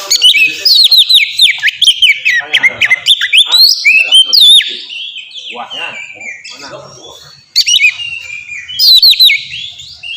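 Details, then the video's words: Oriental magpie-robin (kacer) singing in the ngeplong style, meant as a lure to get other kacer singing; rapid run of sweet whistled notes and slurred phrases, with a pause near the middle before loud bursts resume. "suara burung kacer ngeplong merdu sangat ampuh buat pancingan kacer bahan bikin cepat gacor"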